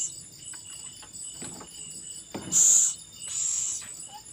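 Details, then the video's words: Owl at a feeding of its young: a loud breathy screech-hiss, then a softer second one, over steady cricket-like chirping and a few faint clicks. "burung hantu ngelolohi anak nya"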